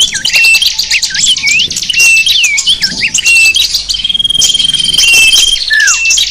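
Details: Small birds in full chorus from a sapu jagat luring track aimed at wild small birds: looping slurred whistles and chirps early on, then a long steady high whistle, rattling trills and a final falling note.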